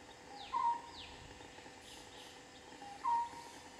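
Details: A juvenile European honey buzzard gives two short, thin whistled notes about two and a half seconds apart, with faint high chirps from other small birds behind it.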